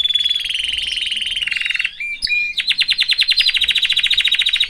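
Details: Canary singing in a cage alongside its family: a long, rapid rolling trill, a brief pause with sharp whistled chips, then loud, evenly pulsed notes repeated quickly for two seconds.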